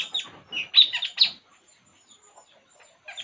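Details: Puling bird calling while relaxing: a quick burst of sharp, high chirps and twittering notes, loudest in the middle, then near silence with faint soft ticks and a short chirp at the end.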